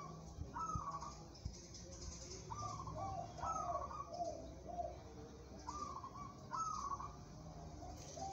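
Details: A local zebra dove suited to competition sings soft trilled coos. Short rolling high notes are followed by lower pulsed notes in spaced phrases over a constant low background rumble.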